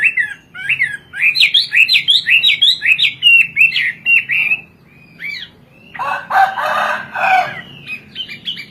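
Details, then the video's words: Hwamei, a Chinese bird kept for its sweet and varied singing: rapid rising and falling whistled phrases repeated many times, with a brief burst of harsher, noisy chatter in the middle. "Burung wambie gacor kowor kowor"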